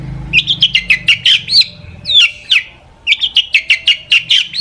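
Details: Long-tailed shrike delivering a song full of imitations to spur other shrikes: rapid repeated chirping notes in quick trills, broken by a couple of harsh downslurred calls midway.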